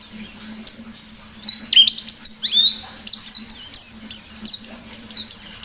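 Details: Lively white-eye 'ngalas' song, delivered 'nembak' style: dense, shrill whistled phrases with rapid up-and-down sweeps and piercing high slides, pouring out continuously with brief breaths, faint steady low hum behind.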